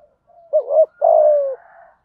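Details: Spotted dove giving a single thúc gù phrase in the giọng thổ voice, meant to stir decoys. Its wavering rising-and-falling opening note is followed by a sustained coo that glides downward, with a faint trailing tone afterward.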